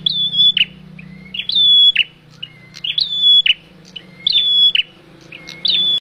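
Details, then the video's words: Male bar-winged prinia calling, used as a lure for trapping birds: loud repeated phrases, each a sharp upslurred note leading into a long high steady whistle and a clipped ending, about five phrases with short pauses; faint low hum underneath. "Suara prenjak jantan pikat di jamin langsung nempel"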